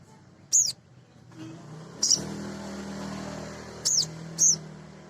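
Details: High-pitched chirps from a male sogon sunbird meant to excite other birds into song, four short notes scattered over five seconds while a vehicle-like rumble swells in the background.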